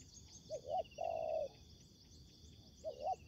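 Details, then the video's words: A spotted dove coos while a decoy bird confronts tough wild doves at a ground trap: a soft two-part coo, a long steady hoot, then another double coo, with a high buzzing insect chorus throughout. "Bẫy cu gáy mồi đất : Tuyển tập Mồi cùi bắp gặp Bổi trận của năm"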